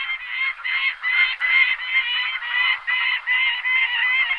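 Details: Harsh, grating, evenly spaced calls of a Gyrfalcon (Falco rusticolus), roughly two or three each second, continuing steadily throughout with little change in pitch.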